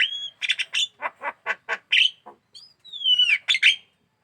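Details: Javan myna (jalak kebo) in full song, aggressive toward the hand: a string of about ten clipped, harsh chattering notes, then a pause and a drawn-out, falling, squeaky whistle followed by more rasping notes.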